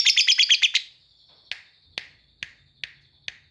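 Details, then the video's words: Lovebird of the kapas type singing in tembak cililinan style: a quick burst of about seven sharp high chirps, then a thin sustained whistle with single loud clicking notes spaced roughly every half second. "Love bird kapas tembak cililinan"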